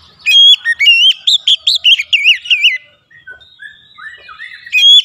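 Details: Oriental magpie-robin, a kept bird singing to stimulate its song, delivers loud whistled phrases of rapid wavering, rising and falling notes, a short pause with soft twittering, then another loud whistle.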